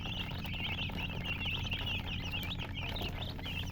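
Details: Several chicken chicks peep rapidly, short wavering high chirps crowding one another, heard over a loud, steady low-pitched hum.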